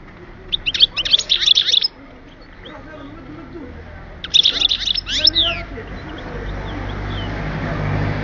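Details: Song of a European goldfinch recorded at Oued Souf in 2010: two dense bursts of quick, high, liquid twitters and trills, each lasting about a second and a half, over a steady low background hum.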